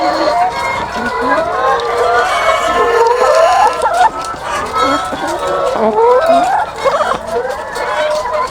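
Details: Thousands of egg-laying hens on a farm, a dense chorus of overlapping clucks and drawn-out, rising and falling cackles, many birds calling at once with no pause, a steady wall of sound throughout.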